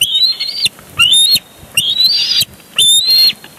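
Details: Bald eagles on a nest at Big Bear Lake on 23 June 2022, one tackling the other for a big fish, caught by a live cam: shrill, slightly rising whistled cries, four in quick succession.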